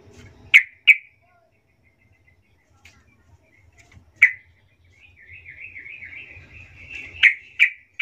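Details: Yellow-vented bulbul, soft-voiced lure call meant to make other bulbuls answer: sharp bright chips at the start, then a warbling, wavering phrase later, ending in more abrupt chips over faint low rumble.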